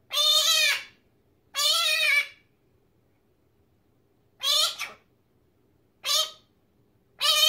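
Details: Male pet talking magpie mimicking human speech: five short, hoarse, voice-like phrases, each under a second and unevenly spaced, copying speech's rise and fall.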